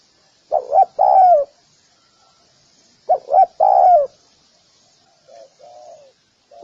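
A spotted dove gives soft, low coos: two quick notes and a long drawn croo, repeated three times about every two and a half seconds. The last phrase is fainter, over a faint high hiss.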